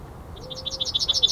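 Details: A male Yellowhammer calls at NSG Ahsewiesen, Germany, at 10:55 on 17 February 2019, giving a quick run of about ten high, thin notes that grow louder over a second, with a faint low whistle in the background.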